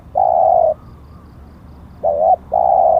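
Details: Decoy spotted dove with auspicious plumage markings, cooing during a lure session: a long steady hoarse coo, a pause, then a short wavering note and another drawn-out coo.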